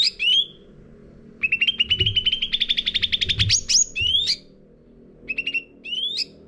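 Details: Caged Sooty-headed bulbul lure song. One long, fast, even chatter of chirps climbs slightly in pitch and ends in rising whistles, followed by short chirp groups. Soft thumps are heard in the background.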